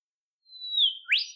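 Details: Olive whistler, a shy bird of southeastern Australian forests: a long, thin, level whistle slowly sliding lower, then a sharp upswept note, clean and isolated against silence.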